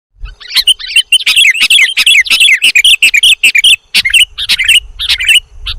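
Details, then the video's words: Sooty-headed bulbul lure recording meant to draw birds in: dense, rapid bursts of bright chirping and short whistled notes, closely packed with brief gaps, one call overlapping the next, with a faint low thump near the start. "audio pikat kutilang jawa dijamin ngumpul semua"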